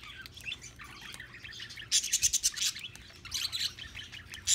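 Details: Two pet parakeets eating millet, a burst of rapid, scratchy high chirps around the middle and again near the end, with soft rustling and low background noise between calls.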